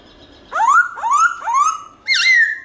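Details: Black-throated laughingthrush singing in wild style with many voices, played to stimulate caged birds: three upslurred whistles rising in pitch, then a higher drawn-out whistle.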